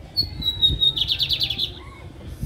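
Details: Caged lined seedeater singing on a Saturday afternoon, 20 August 2022: a thin high whistle followed by a fast buzzy trill of about a dozen rapid notes, then a brief lower chirp, over faint low room noise.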